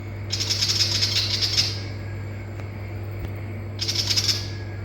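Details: Willie wagtail calling in Far North Queensland, Australia: two bursts of harsh, dry, rattling chatter, the first about 1.3 seconds long and the second shorter, separated by a quiet gap over a steady low electrical hum.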